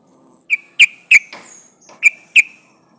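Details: Female sooty-headed bulbul calling for a male, giving five crisp, piercing notes spaced about a third of a second apart, with a soft rustling noise between them.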